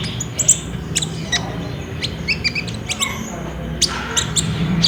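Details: Olive-backed sunbird song recorded on a Samsung J5 phone as a lure to prompt caged birds to sing: high, thin chirps and sharp tweets in quick, uneven bursts, with a steady low engine-like hum underneath.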